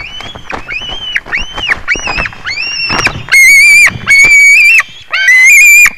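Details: White-tailed eagle recorded on 21 July 2019 at 22:10, giving arched, clear yelping notes about once a second, followed by louder, harsher, strongly ringing drawn-out cries that overload the recording.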